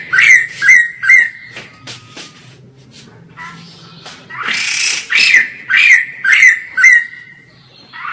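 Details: White-crested laughingthrush in full, lively song, filmed from far away; loud harsh bursts with downslurred squeaky notes, a quick run of three, a pause with low background hum, then a cluster of five or six more bursts.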